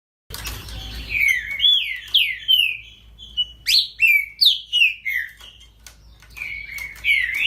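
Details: Great-billed seed finch singing a song in the style called baderninha: a fast run of clear, whistled, downward-slurred notes, about three per second, with brief pauses between phrases and faint room hum beneath.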